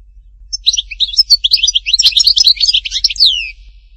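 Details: A European goldfinch from Htatba, Tipaza, delivers about three seconds of quick, high, jumbled twittering notes that ends on a descending whistled slur.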